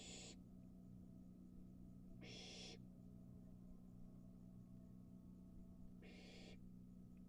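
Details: Young barn owl at the nest entrance, swallowing a mouse whole on the porch: three short, harsh hissing bursts spaced several seconds apart over a steady low mechanical hum.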